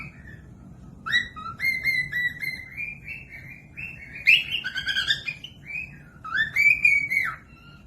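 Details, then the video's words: Cockatiel singing as a tutor recording for birds that rarely sing or young birds learning: a run of short whistled notes, rising and falling in steps, with a louder chattering burst midway and a final rising whistle. "Cocok buat pemasteran falk yang malas bunyi langsung nyaut pemasteran cockatiels"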